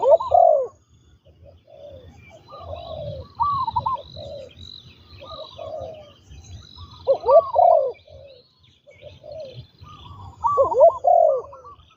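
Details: Spotted dove kept as a trained ground decoy gives loud husky coo phrases about every three to four seconds, with softer coos between and background chirping of small birds.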